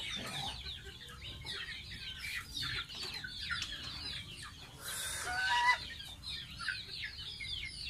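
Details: Baby pet goose in its bath utters high, downslurred peeps in clusters, broken by a loud burst of splashing-like noise midway.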